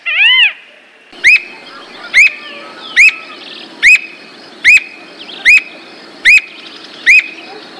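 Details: Squirrel cuckoo (Piaya cayana) giving a series of sharp, rising-then-falling whistled notes, nine in all, spaced a little under a second apart, with faint background hum.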